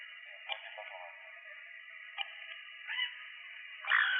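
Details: Endemic, endangered Puerto Rican parrot calling while being fitted with a tracking transmitter; harsh squawks with harmonic bands sound at about 0.5, 2.2, 3.0 and 4 seconds over a steady background hum.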